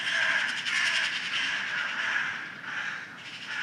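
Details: Noisy crows calling loudly outdoors in the early morning, harsh overlapping raspy caws running together almost continuously, with the loudness easing slightly toward the end.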